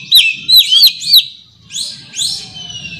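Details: Oriental magpie-robin calling a rival: four quick looping whistled notes in about a second, a short pause, then two rising sweeping whistles, over a faint low hum.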